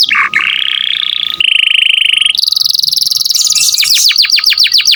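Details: Lively canary song meant as a master recording for teaching songbirds: a long sustained rolling trill, a lower steady trilled tone, a high rapid chattering roll, then quick repeated falling whistled sweeps, bright and unbroken.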